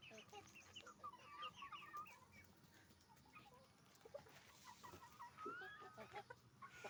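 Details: Hens and roosters on a chicken farm give chattering clucks and a few rising squawks, with bursts of overlapping calls from several birds and a steady low background hum.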